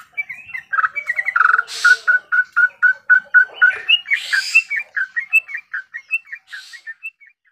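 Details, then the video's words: Cut-throat babbler singing a fast string of repeated whistled notes, about four per second, steady and evenly spaced, broken by a couple of harsher noisy bursts before softer notes trail off. "TRUCUKAN GACOR ROPEL"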